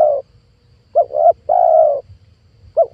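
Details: Trapping lure for wild spotted doves: after a trailing coo, two clipped coos lead into a long, level coo, and the next phrase begins at the end, while a soft low hum continues throughout.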